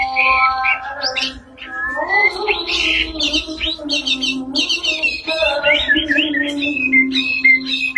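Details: White-rumped shama in full song, dense overlapping chirps, rattling trills and quick whistled notes over a constant low humming tone.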